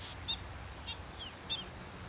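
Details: Black-winged stilt in a wetland: three sharp, short, high yelping notes spaced about half a second apart, with one softer descending note between them, over low rumbling background noise.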